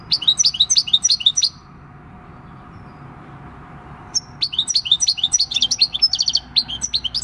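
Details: European goldfinch, wild-caught and six years old, singing the countryside "El Carbonero" song on 26 December 2019: a rapid tinkling phrase, a silent gap of about three seconds, then a longer run of chattering trills.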